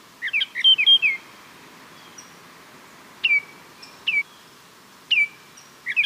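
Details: Baltimore oriole (Icterus galbula) opening with a quick jumble of whistled notes, then single clear downslurred whistles spaced roughly a second apart, a faint higher whistle between them.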